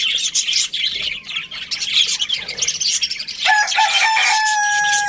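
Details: Budgerigars in a breeding colony during breeding season, a dense chatter of rapid high chirps and warbles repeating about four times a second, ending in a couple of steady drawn-out tonal notes.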